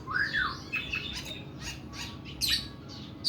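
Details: Oriental magpie-robin (kacer) in harsh 'nembak' singing: a loud looping whistled slur opens, followed by softer scratchy, buzzy high notes and a sharp rasping burst near the end.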